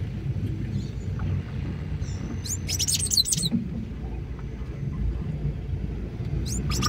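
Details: Sayaca tanager calling on 25 May 2024, one short cluster of thin, high, squeaky notes sweeping up and down, with a faint chirp at the end and a continuous low rumbling background.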